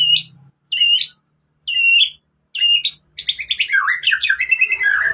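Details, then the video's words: White-rumped shama singing canary phrases, used as a lure for other shamas: four short whistled notes spaced about a second apart, then a quick jumble of chattering, warbling phrases. "MURAI BATU ISIAN KENARI ¦ PANCINGAN MURAI ¦ SHAMA BIRD"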